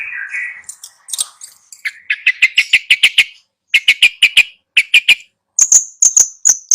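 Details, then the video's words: Long-tailed shrike song, used to train a bird that has stopped singing: a short buzzy phrase, then rapid runs of sharp clicking notes, several a second, and a final series of thin high whistles. "Masteran Cendet Males bunyi"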